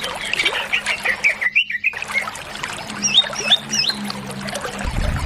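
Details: Greater green leafbird (cucak ijo) singing in the gacor full isian style: clear whistled phrases around mid-high pitch with rising and falling slurs. A short silent gap comes near the middle, then higher twisting notes follow, over a faint trickling background.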